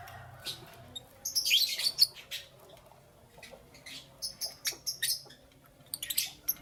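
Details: Lovebirds chirping in the morning: a burst of rapid, high, twittering chirps, then spaced sharp chirps and a final quick flurry.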